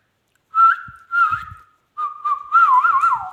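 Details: Ringneck parrot said to talk in English and Urdu: wavering whistled notes holding one pitch and bending up and down, given in two bursts separated by a short pause.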